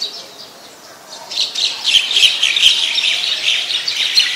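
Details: Olive-backed Sunbird at a home, 25 March 2021, around 4:45 PM: after a quiet start, loud, dense, high twittering chatter of rapid chips and squeaks runs on without pause for about three seconds.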